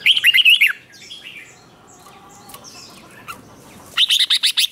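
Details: Red-whiskered bulbul provoked to sing in competition: a quick run of bright, evenly repeated notes, a quieter stretch with faint distant chirps, then another fast repeated series at the end.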